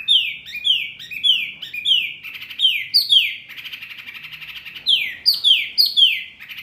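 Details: Bird-training masteran for murai, kacer, cucak ijo and jalak kept in cages: runs of sharply falling whistled notes, broken by harsh, buzzy rattling passages, then more falling whistles.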